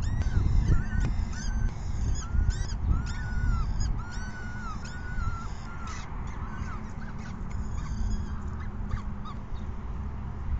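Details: Peregrine falcon chicks during an evening feeding, May 14, 2021, at 6 PM, keep up fast, irregular arched begging whines, loudest early and fading later, against a persistent low rumble.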